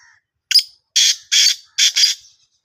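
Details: Black francolin in Sindh, Pakistan: a brief introductory note, then four loud, harsh, grating notes in two pairs over about one and a half seconds, each broad and rasping, with silence between and no other clear sounds.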